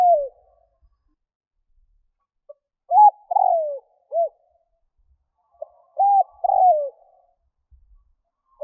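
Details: Decoy spotted dove luring wild doves with rhythmic cooing: a faint introductory note, arched coos and a long falling coo, the phrase repeated after a short gap, mellow and clear.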